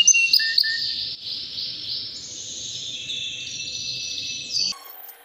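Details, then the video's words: White canary about three years old, healthy, in continuous song: a long sustained high trill with rapid rolling notes, a few sharp whistled notes at the start and a change of tone near the end. "BEAUTIFUL WHITE CANARY NON STOP POWERFUL SINGING"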